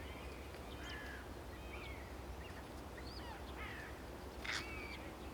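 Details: Two fluffy young Red Kite (Milvus milvus) chicks in a nest high in an old tree in Central Europe in spring or summer, awaiting an adult bringing food, give thin, squeaky whistled calls, short and scattered, over a low wind rumble.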